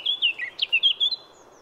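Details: Brief warbling passage by a wild Eurasian blackcap in France, six or seven sweet whistled notes in under a second and a half, with a slight upward flourish midway.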